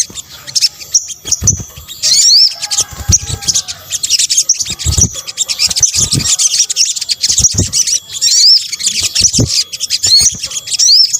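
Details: Sunbird, locally called sogok ontong in Indonesia, in a combined lure recording for attracting birds: dense, high-pitched twittering chatter with repeated thin upward-slurred whistles, continuous throughout, plus low thumps in the background.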